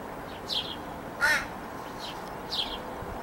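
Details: Young crow whining to its parents for food, 21 July 2017: a single short, rasping caw in the middle, with soft high downward-sweeping chirps before and after over a quiet outdoor background.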